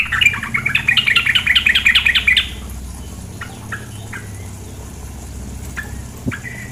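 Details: Female sooty-headed bulbul over running water: a lively run of rapid chattering notes for over two seconds, followed by sparse single sharp calls.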